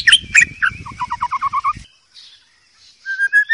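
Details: Wild white-rumped shama, recorded as a training song for young birds. Loud sharp chips are followed by a row of eight short, even, mellow notes, a pause, then three level whistles. Low rumbling noise sits underneath.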